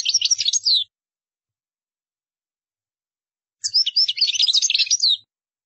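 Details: European goldfinch singing, intended for birds to learn by imitation. Two rapid, liquid twittering phrases are split by nearly three seconds of silence.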